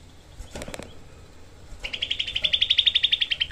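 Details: Tutor recording of a Grey-cheeked bulbul for training songbirds. A brief flutter of wing sounds comes first, then one long, tight 'tembakan' rattle of rapid harsh notes that grows louder toward the end.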